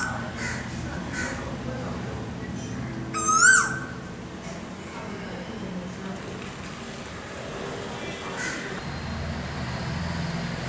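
A male Asian koel gives a single loud, rising whistled note, clear and ringing, against a steady low background hum.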